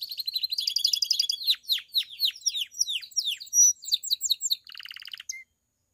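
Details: Bell-style campainha song of a pied Belgian canary, aimed at prompting other canaries to sing and females to come into form: rapid trills, a string of sharp descending notes, a clear whistle, and a closing buzzy rattle.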